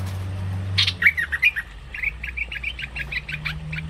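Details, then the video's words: Cream-vented bulbul lure call for bird trapping; a harsh squawk followed by a long run of short, squeaky chirps at a steady quick pace, with a low droning hum in the background. "Suara pikat burung MERBAH LEKIR ngebrend part 4"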